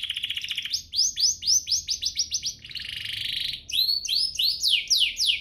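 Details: Canary song used as a lure to get other canaries singing actively: a fast buzzy trill, then a run of quick looping whistled notes, a dense rolling buzz near the middle, and sharp downward-sweeping whistles to finish, with no other clear sounds.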